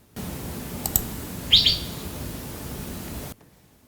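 A racket-tailed drongo gives a brief mimicked fairy bluebird call: two quick, high, liquid notes.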